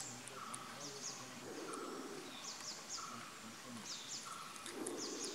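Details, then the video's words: A female Malabar trogon (Harpactes fasciatus) at Ganeshgudi, Karnataka, India, in January 2016 gives soft, flat, hollow notes about every second and a half, with thin high chirps and faint voices behind. "Malabar Trogon (Female) Bird"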